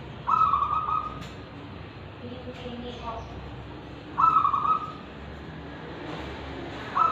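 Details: Local wild-type zebra dove from Tulungagung singing steadily, with a voice described as Kristal and Ulem. Two short purring, trilled coo phrases about four seconds apart, each lasting under a second, over a quiet hiss with faint background noises.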